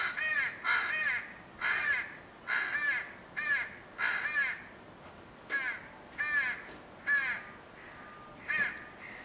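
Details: Young crow arguing with its parent crow, likely about food: a run of rasping, wavering caws given singly and in pairs roughly every half second to second, steady and insistent.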